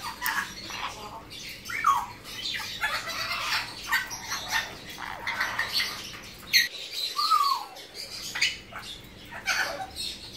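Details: A captive pair of young hand-reared blue-winged macaws, one male and one female born in 2017, utter rasping squawks and brief downward-sliding calls, spaced a second or two apart, over flapping and background chatter.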